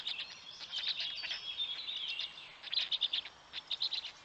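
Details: Black stork chicks at a nest in Poland's Noteć Forest, parent feeding them at dawn on 19 May 2020; thin high squealing, then short chirps in quick clusters of three or four.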